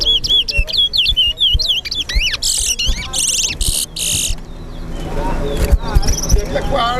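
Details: Lesser seed finch, a competing bird in a towa towa singing race at Lusignan bird ground, Guyana: quick whistled twisting phrases for about two seconds, then loud broadband bursts, vehicle noise and men's voices counting.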